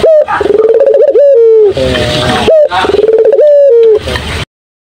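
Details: Loud cooing of a turtle dove, two phrases each opening with a short rising note, then a long wavering coo that sinks in pitch and ends in a harsh, buzzy burst, followed by silence.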